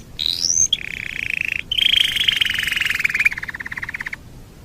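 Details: Master recording of canary song for teaching other birds: a rising whistle, then sustained rasping buzzy trills sliding slowly downward, ending in a dry rapid rattle.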